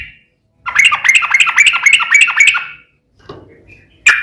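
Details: ['Yellow-vented bulbul, called trucukan, giving rapid, loud fighting-style song for training a bird to reply: a two-second run of quick, bubbly, chattering notes, then quiet and one sharp note.']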